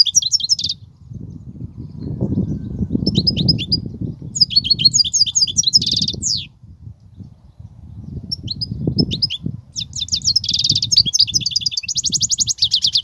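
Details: Kubiya-style song of a European goldfinch: dense bursts of high, tinkling trills and rapid buzzy twitters, the last one long and churring, broken by short pauses, against a low hum of background noise.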